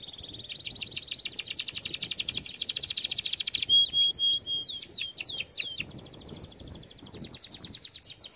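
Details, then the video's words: Canary training song with long rapid rattling trills, a burst of quick swooping whistles, then another fast even trill. "Most powerful song for training Canary"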